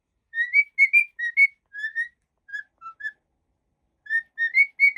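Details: Happy cockatiel giving a run of clean whistled notes, mostly steady or gently rising, then a short gap before another phrase of bright whistles; no background noise.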